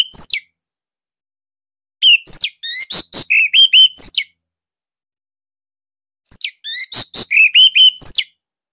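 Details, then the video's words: Orange-headed thrush from Bali singing a tight, loud master song meant for training young thrushes: three bursts of rapid, varied whistles and chips, each about two seconds long, spaced by silent gaps. "Kicauan Joss ANIS MERAH Pancingan Masternya Para JUARA"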